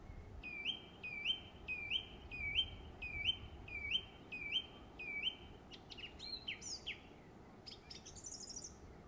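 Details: Song thrush singing in summer in West Cornwall, England: one upward-swooping whistled note repeated about eight times in a row, then a burst of varied, higher, scratchy figures.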